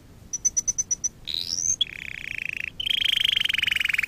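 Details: Canary singing used to train canaries: six quick high piping notes, a loud rising buzzy sweep, then long fast rattling rolls that step up to a higher pitch.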